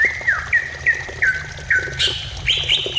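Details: Greater green leafbird song used to lure another bird into singing: clear whistled notes near one pitch repeated about every third of a second, then higher sweeping whistles at the end, over a low steady hum.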